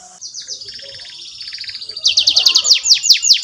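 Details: Energetic canary song meant to teach young canaries their notes: a soft, steady high trill builds into loud, rapid descending chirps repeated several times a second, with faint background rustle.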